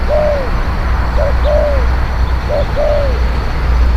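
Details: Spotted dove cooing, used to draw in wild birds: clear descending hoots, each preceded by a short clipped note, three phrases in four seconds over heavy low-pitched rumble.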